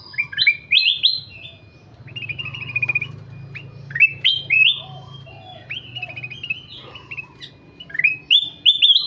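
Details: Ruby-throated bulbul (kutilang emas) singing persistently: repeated bright whistled phrases of stepped, rising and falling notes, coming in rapid bursts with brief gaps throughout, with a soft low hum underneath.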